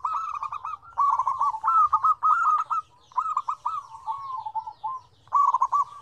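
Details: Lively zebra dove song with five combinations of varied tones: near-continuous bursts of rapid, rolling, bubbling coo notes in several phrases, separated by short pauses.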